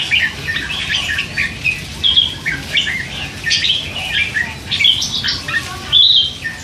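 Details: Young hand-fed red-whiskered bulbul at three months, chattering with occasional song phrases; jumbled bursts of bright warbling notes spaced about a second apart, ending in a clearer whistled slur.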